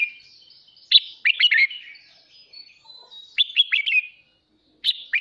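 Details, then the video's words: Red-whiskered bulbul kept as a cage bird, in morning song used for voice training: clear liquid whistled notes in a tumbling phrase, then a quieter thin whistle and another burst near the end. "Chào mào kích bổi hót sáng /Luyện giọng chào mào"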